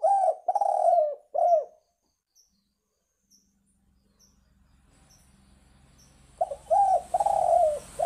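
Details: Spotted dove call used as a lure for trapping birds: three husky, wavering coos in quick succession, a quiet pause with faint low hum, then another run of drawn-out, slightly dipping coos at the end.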